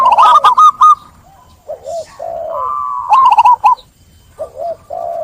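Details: Zebra dove song in two phrases, each a rapid run of clipped, bubbling coo notes ending in softer wavering trills, with quiet pauses between.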